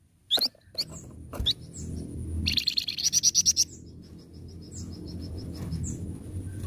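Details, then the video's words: Flamboyan bird singing energetically: sharp rising whistles, then a fast run of bright repeated chips, with a steady high tone and low background hum. "burung flamboyan gacor mbeset"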